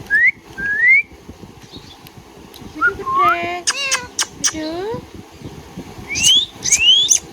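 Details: Pet Indian ringneck parakeet: rising whistled slurs, then a stacked, buzzy harmonic phrase with falling notes and sharp chirps, closing on two more upward-sweeping whistles with crisp chirps.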